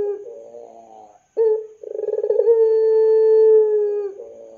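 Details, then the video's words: Puter pelung dove call used as a lure to get young doves singing; short opening coos, then a pulsing build-up into one long, steady, drawn-out low hooting note lasting about two seconds, clean with no background. "SUARA PANCINGAN BURUNG PUTER PELUNG GACOR COCOK UNTUK MASTERAN PUTER MUDA"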